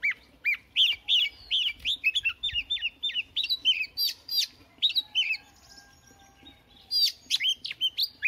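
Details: Morning voice warm-up by a newly caught Oriental magpie-robin. Quick repeated chirps and short upslurred whistles come about three per second, pause briefly, then resume in a fresh burst.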